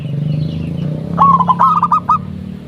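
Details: Local zebra dove calling as a lure so other perkutut respond; a low steady hum fills the start, then a short burst of about six quick, soft rolling coos follows.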